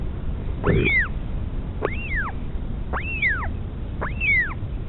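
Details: At a northern royal albatross nest near Dunedin, New Zealand, with a mother feeding her chick: four curved, whistled notes that sweep up and fall away, about one per second, over a low steady hum.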